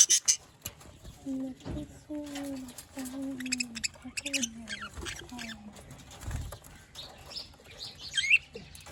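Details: Budgerigars in Larkana, Sindh, recorded December 3, 2023, chirp in rapid, high, scratchy bursts while a low voice hums beneath them.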